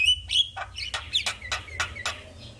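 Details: Javan myna answering a lure recording after being reluctant to sing. It opens with two high whistles, then gives a series of harsh, rasping notes repeated about every quarter second.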